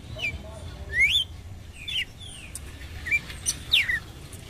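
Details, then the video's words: Red-cowled cardinal calling to provoke a male, with four or five crisp, sweeping chirps, some rising and some falling, scattered over a few seconds against quiet low hum. "GALO CAMPINA CHAMANDO PARA ESQUENTA SE MACHO"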